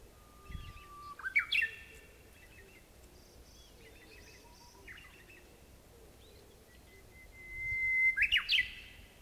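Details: Spring song of a Japanese bush warbler, recorded 26 April 2016: two phrases, each a sustained plain whistle breaking into a loud, rapid twisting flourish. The second phrase is higher and louder. Faint distant chirps sound between them.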